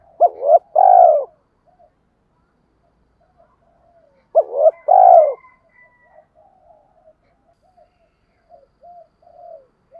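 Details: Spotted dove phrases for decoy training, two compact bursts of rapid coos about four seconds apart, then faint quiet coo fragments toward the end.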